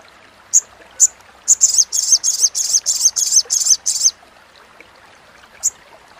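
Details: Chattering of a little spiderhunter, recorded as a master for songbird training: a few thin high chips, then a rapid series of about ten buzzy rasping notes over two seconds, one final chip afterward.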